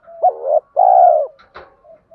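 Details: Spotted dove coo from a recording of male and female birds used by keepers to stimulate doves to coo: a low two-part phrase, short hooked note then a longer steady hoot, followed by faint soft notes and a click.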